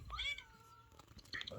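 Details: A pet ringneck parrot that mimics speech and meowing gives a drawn-out, cat-like meow lasting almost a second, then a few quick squeaky chattering notes.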